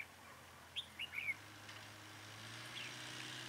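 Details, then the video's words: Red-whiskered bulbul during trapping on a cold windy day at Chùa Hương, Vietnam, 9 December 2017, a caged decoy calling; a quick burst of three bright, slurred whistled notes, then a low steady hum. "Bẫy chào mào Chùa hương ngày gió rét"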